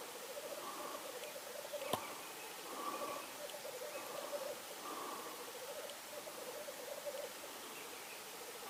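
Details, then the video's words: Black grouse giving a low, bubbling, dovelike cooing that rolls on almost without pause in overlapping phrases, with one sharp click near the start; recorded in Norway on 8 May 2019. "Black grouse,orrhane"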